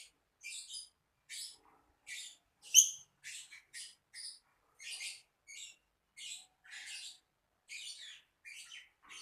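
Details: Lovebird calling in a run of short, sharp, high-pitched squeaky chirps repeated roughly every half second, one note louder and shriller than the rest, quiet background.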